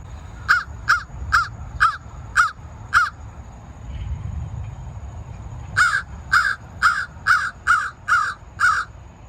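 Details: An American Crow, common in the local area, gives harsh caws in two runs: six evenly spaced calls, a short pause, then seven more, over a quiet low hum.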